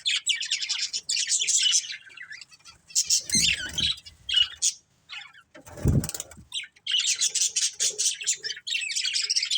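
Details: Colourful pet budgies chirping in a family group; high rapid chattering bursts at start and end, with a pause holding a low rumbling noise in the middle.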